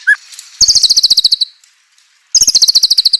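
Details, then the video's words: White-rumped shama song meant to make silent shamas reply: two fast, even trills of high, sharp repeated notes, each lasting about a second, with a brief gap between them. "murai batu gacor AMPUH UNTUK pancingan murai batu agar emosi JADIKAN burung murai batu gacor"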